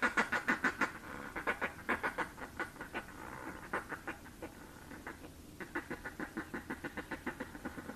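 Northern fulmar giving a harsh, guttural cackle: rapid croaking notes about three a second in long runs, broken by one brief pause.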